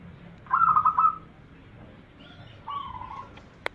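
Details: Zebra dove lure song of a champion bird, used to attract other doves: two bursts of soft, bubbling, rapidly pulsed cooing, each under a second, over a faint hiss, ending in a sharp click.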